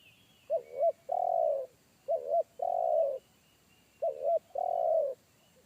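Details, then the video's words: Wild spotted dove in forest with a deep bass 'kuk satu' call that scared a trained decoy bird; three identical phrases about two seconds apart, each a quick double coo then a longer held coo, over quiet background. "PIKAT AJARAN T4KUT MENDENGAR SUARA TEKUKUR INI‼️SUARA BESAR NGEBASS"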